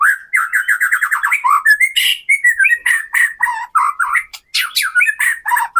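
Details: White-rumped shama singing, used as a lure to make captive birds sing and show their full repertoire: rich, rapid varied phrases of slurred whistles, chattering trills and harsh notes delivered almost without pause.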